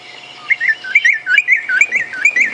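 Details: White-browed robin-chat at evening on a safari drive at Djuma Game Reserve, 25 March 2016, said to be rarely heard there: rich, fluty mid-high whistled phrases, rising and falling in quick succession, over a faint steady hum.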